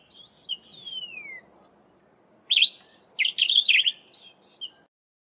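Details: Sombre Greenbul, a common Eastern Cape (South Africa) garden bird: a clear, high whistle sliding downward, then loud bursts of rapid, chattering notes over a soft, steady background hiss.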